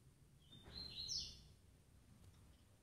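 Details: Female double-collared seedeater calling to excite males: one thin, high whistle climbing into a short sharp flourish, with low hum behind.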